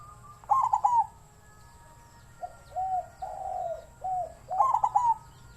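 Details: Captive-bred young zebra dove giving a wild-type voice: stuttered trilled coo notes, then a series of soft short coos and a longer drawn coo, ending with another stuttering trill in a quiet setting.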